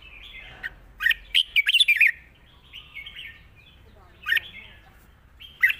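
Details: Red-whiskered bulbul in soft-voiced long song with chattering: faint warbling broken by a run of sharp, bright, slurred notes, then quiet phrases and two isolated loud chirps, over a low hum.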